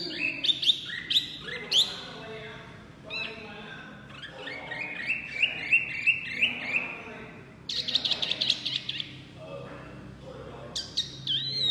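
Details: Small white-eye (wambi) in full, loud song: rapid strings of high twittering notes, rising slurs and brief buzzy bursts tumbling over nearly twelve seconds, with a low rumble in the background.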